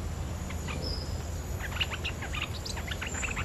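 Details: Bulbul call used as a lure recording for trapping birds: quick, lively bursts of short chirping notes, some in rapid clusters, over a background hiss and a faint high steady tone.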